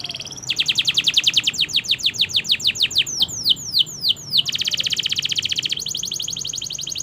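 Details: Canary training song with long continuous phrases: a rapid trill of falling notes slowing into separate swooping whistles, followed by fast buzzy repeated-note rolls, all high-pitched.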